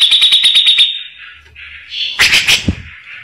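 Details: Grey-cheeked bulbul, whose rough song serves as a tutor for white-rumped shamas: a rapid harsh pulsed chatter for a second, a short pause with a low hum, then a louder burst of rasping notes fading into a buzzy trill.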